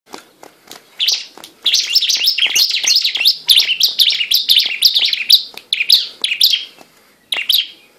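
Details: Bar-winged prinia in combative, fighting-style song: a rapid, high, scratchy chatter of sharp repeated notes, almost unbroken for several seconds, over faint clicking taps.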